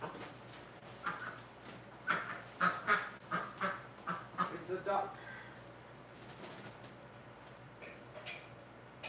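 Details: Hospital ducks, domestic birds kept indoors, recorded live on February 12, 2018: a quick series of about a dozen clipped, nasal quacks over a few seconds, then quieter background hum and scattered sounds.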